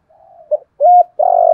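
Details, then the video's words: Thổ-voice cooing of a spotted dove, used to stir up wild doves: a faint lead-in, a short clipped note, a firm level coo, then a long, slightly throbbing coo cut off at the end. "Tiếng chim cu gáy giọng thổ gáy gọi/ tiếng chim cu gáy kích bổi hiệu quả"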